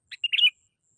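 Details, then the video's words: Sooty-headed bulbul call played as a lure: a brief chattering cluster of bright, slurred whistles, one soft note then a rapid run of jumbled notes. "SUARA PANGGILAN BURUNG KUTILANG GACOR"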